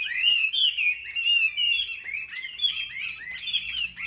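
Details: Caged Chinese hwamei in a market singing contest in Vietnam pours out a continuous warble of wavering whistles and quick trills, strong and unbroken.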